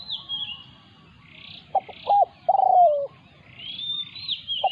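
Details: Spotted dove used as a decoy and attacked by a wild territory holder: short clipped coos lead into one long, smooth, falling coo. Soft high whistles and chirps from other birds fill the background.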